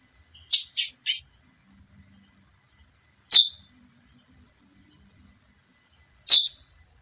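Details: Three quick buzzy notes from a female chestnut-bellied seed finch, then two sharp, high chips sliding downward, three seconds apart, over a faint continuous high tone.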